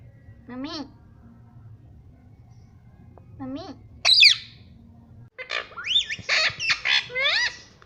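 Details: Parrot talking and copying "mummy": two short, drooping voice-like syllables a few seconds apart, a sharp high squawk, then a quick string of bright, wavering syllables near the end.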